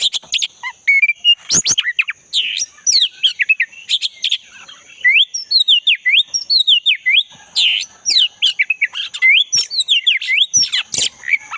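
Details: Long forest song of a black-breasted oriental magpie-robin, used to coax a caged bird that stopped singing: loud sharp notes and clicks, then long runs of repeated looping whistles and varied phrases, a steady high hum in the background.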